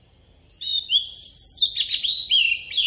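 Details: Forest-style song of an Oriental magpie-robin kept as a lure bird for tutoring young birds: after a short pause, a continuous flowing run of high whistled notes, sweeping slurs and brief trills lasting over two seconds.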